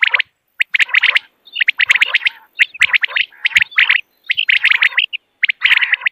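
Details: Common quail calling in the morning, a recording meant for hunters: quick, bright chirped notes packed into bursts of about a second, repeating roughly once a second with brief gaps.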